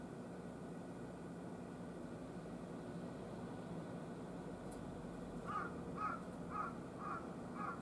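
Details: Wild carrion crow, August 14 at about 10:13, one of three at a utility pole in hot weather: a long stretch of low rumbling background, then a run of five quick, hoarse caws near the end.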